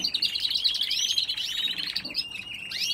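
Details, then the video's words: A canary in a home aviary sings a fast, continuous warbling run of high chirps and trills, with rapid rising and falling notes throughout, and no other sounds. "Canary birds"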